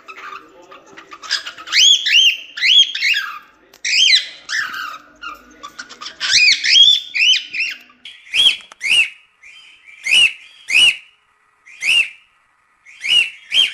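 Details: Cockatiel song for teaching a young bird to sing: a jumble of warbled whistles at first, then a string of short, sharp whistled notes repeated about twice per second.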